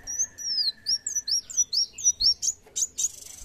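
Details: A lively 'gacor' sunbird sings a steady series of high, thin, down-curving whistled notes, about three each second, over a faint constant tone, finishing with coarse buzzy bursts.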